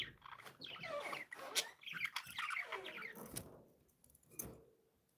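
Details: Happy pet budgies chattering in a busy, warbling stream of quick chirps and sweeping notes for about three seconds, then fading to a few soft calls and near quiet.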